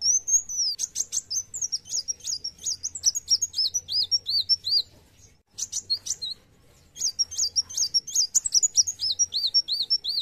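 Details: Sunbird known as kolibri wulung singing hard in narung style: two long bursts of fast, high, squeaky twitters and arched whistles, roughly three notes per second, separated by a short silence.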